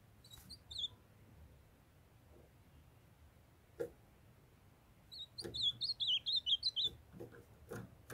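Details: Captive ultramarine grosbeaks (azulão) in Brazil, a female calling to warm up a young male that sings. A brief high chirp early on, then a rapid run of high, slurred warbling notes, with scattered clicks and knocks.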